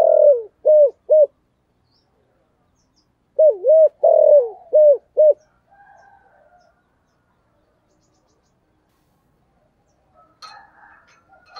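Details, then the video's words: Spotted dove calling in the thổ sấm voice style. It gives a rough falling note and two short coos, then after a pause a full phrase: double coo, long buzzy note, two clipped coos. Soft cooing follows, and faint chirping comes at the end. "cu gáy giọng thổ sấm gáy gọi cực đỉnh vang cả xóm"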